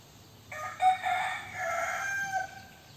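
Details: A young rooster crows once: a hoarse, multi-harmonic call of roughly two seconds that rises into a long held phrase and then trails downward, against a calm background.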